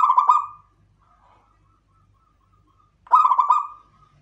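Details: Perkutut lokal Klowongan, a zebra dove, sounding two mellow trilled coo phrases roughly three seconds apart, each a run of rapid beats fading out, with near silence between.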